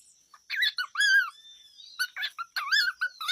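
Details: A pet cockatiel chatters in quick bursts of varied, warbling whistles and squeaky notes, rising and falling, over a faint steady high-pitched whine.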